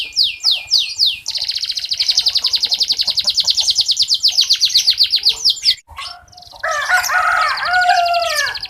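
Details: Local red canary in full song, used as a tutor for young canaries: rapid high rolling trills that run for several seconds, then a brief break and varied sweeping, warbled phrases.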